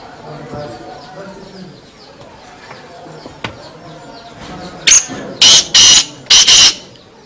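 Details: Black francolin (kala teetar) calling: after a quiet stretch with faint chirps from small birds, four loud, harsh, rasping notes burst out in a quick grating series near the end.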